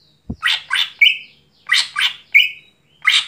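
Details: Greater green leafbird singing loudly at night: a low click, then harsh, raspy squawking notes in pairs, each pair ending in a short whistled slur, repeated about every 1.3 seconds.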